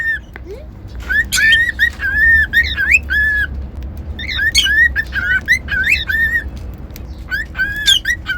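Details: Cockatiel, a pet bird, whistling a long melodic run of pure notes, mostly level with a few rising slurs, plus occasional sharp clicks and squeaks, over low background hum.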